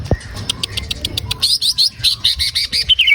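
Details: Green leafbird used to encourage another bird to sing, giving a rhythmic string of bright, slightly buzzy high chirps repeated several times a second, closing on a falling whistled slur.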